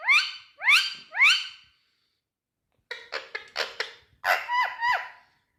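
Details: Indian ringneck parakeet from India: three loud rising nasal calls, silence, then a rapid cluster of clicky, chattering speech-like sounds and three falling squeaky notes.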